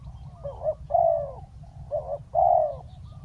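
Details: Spotted dove acting as a decoy to pull a wild bird down to the ground, delivering two phrases, each a wobbling short note then a sustained, gently descending hoarse coo, against a low rumbling backdrop.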